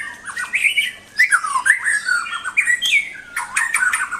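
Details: White-rumped shama singing: a rapid, varied run of sliding whistles and harsher chattering notes, rising and falling without pause, with a faint steady hum behind.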